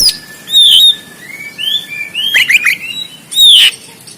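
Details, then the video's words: Fighting song of an oriental magpie-robin, Banten, Indonesia, phone recording meant to train birds: a loud whistled note, then softer rising slurs and a steady thin whistle, ending with another strong clear whistle. "KACER KONSLET TARUNG"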